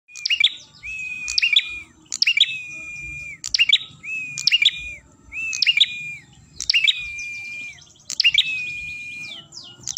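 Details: Ashy tailorbird song used as a lure recording for catching birds; each phrase is a long, level whistle followed by a sharp burst of chattering notes, repeated about every 1.3 seconds, over a low background rumble.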